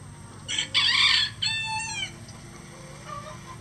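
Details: One of about twenty farm roosters, standard and bantam breeds crowing all day, gives a bright, loud crow. A choppy start leads into a shrill harmonic note falling slightly, then a faint distant crow answers.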